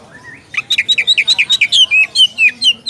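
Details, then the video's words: Oriental magpie-robin calling a rival with a clean, rapid string of clear whistled notes, each slurring downward, repeated steadily for about two seconds. "SUARA KACER MEMANGGIL LAWAN"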